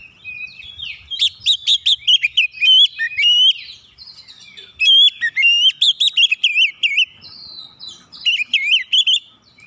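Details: Oriental magpie-robin song used to provoke other birds into singing: rapid, rich whistled phrases mixing trills, sharp rising notes and warbling runs, delivered in loud bursts with brief gaps, clean background.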